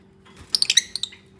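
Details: Lovebird from a bonding, nesting pair gives a quick run of six high, squeaky chirps in under a second, then falls quiet; a faint low hum underneath.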